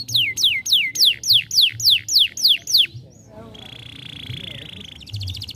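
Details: Young canary stimulating song: nine loud descending whistled sweeps, evenly repeated about three per second, followed by a pause and a softer sustained tone with faint background sounds.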